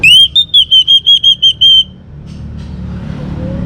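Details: A young orange-headed thrush sings to prompt other birds: a run of about eight clear, evenly spaced whistled notes, each slightly wavering at much the same pitch, then low background rumble.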